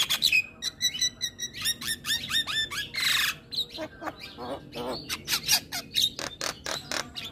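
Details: Morning song of a Javan myna: rapid clicks and whistled glides, a loud harsh rasping burst, then a series of sharp, spaced chattering notes.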